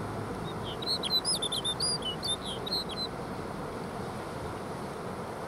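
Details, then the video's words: A Snow Bunting (Plectrophenax nivalis) at Jökulsárlón Glacier Lagoon, Iceland, sings one brief, high, musical phrase of quick twittering and warbled notes lasting about two seconds, over a steady low wind-like rumble. "Snow Bunting Singing"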